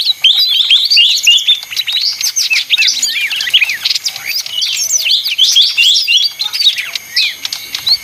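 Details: Lively leafbird song with fast, irregular chips and looping whistled notes, running densely for several seconds with only brief lulls.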